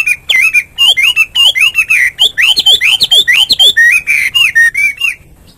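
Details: Morning Hwamei song: quick whistled notes with falling tails in a steady, bouncy series, about two a second, ending in softer rounded looping whistles before it stops.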